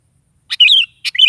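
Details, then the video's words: Lively morning song of a sooty-headed bulbul meant to make a pet bulbul sing back: two quick phrases, each a sharp click-like onset followed by a fluty, wavering warble, about half a second apart. "SUARA BURUNG KUTILANG GACOR DI PAGI HARI"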